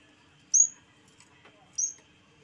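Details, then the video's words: Yellow-bellied warbler (cikrak bambu), singing in a lively way: two very high, thin notes that slur sharply downward, about 1.2 seconds apart, over a faint steady hum. "BURUNG CIKRAK BAMBU GACOR"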